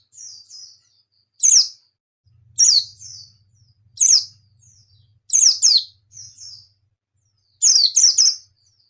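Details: White-eye (pleci) singing: sharp, very high chirps dropping steeply in pitch, delivered in bursts roughly every 1.3 seconds, alternating with softer thin twittering phrases; faint low buzzing hum underneath.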